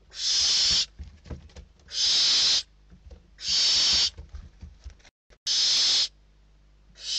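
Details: Hungry barn owl chicks inside a nest in Spain, 21 December 2023, fighting over a delivered bird; harsh hissing screeches under a second long, repeated about every 1.7 seconds, five in total, with faint rustling between.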